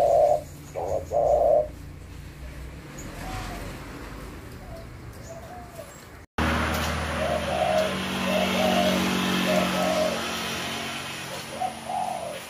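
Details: Spotted dove (tekukur) voice: a few loud hollow coos open the recording, then fainter repeated coos continue distantly beneath a rising hiss of background noise.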